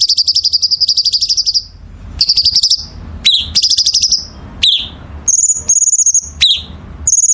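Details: Songbird in full 'gacor' masteran song, opening with a long rapid trill of high ringing notes, followed by shorter trills, sharp falling chips and clear sustained high whistles, over faint low hum.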